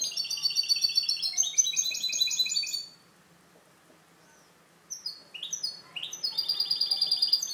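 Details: Caged European goldfinch hybrid, a mule kept for tutoring young birds, singing clean song: fast rattling trills and buzzy twittered phrases, a pause of nearly two seconds, then renewed bright twittering with sharp rising notes.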